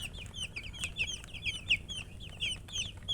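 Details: Chicks cheeping: several young chickens give shrill, rapid downward-sliding peeps, about one and a half per second each, overlapping into a busy chatter over a quiet low rumble.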